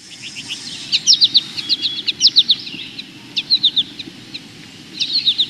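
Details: American goldfinch (Spinus tristis) giving its soft, high "potato chip" flight call in quick clusters of three or four notes, sometimes with an extra note, while a chipping sparrow calls over a low background rumble.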